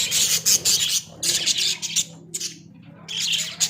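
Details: Australian budgies kept in a small cage give short bursts of shrill, scratchy chirping chatter, separated by brief lulls, with one loud burst returning near the end.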